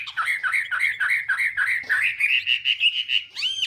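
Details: Chinese hwamei in morning voice training, fighting song meant to provoke singing: fast even train of repeated whistled notes, about three per second, gradually rising and steadying, ending with a sharp upward sweep.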